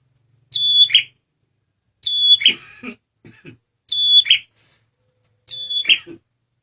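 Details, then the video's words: Male red prinia (prenjak merah) sound used as a lure: short phrases of stacked high whistled tones ending in a buzzy chirp, repeated four times about every one and a half seconds, with faint low rustles between. "SUARA BURUNG PRENJAK MERAH PEMIKAT GACORRR"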